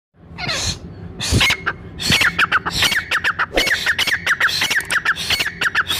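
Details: Brown francolin call used by hunters to draw other francolins together: loud harsh squawking bursts, then a rapid series of short downward-slurred whistled notes repeated in steady groups, with clicking and rustling noises throughout.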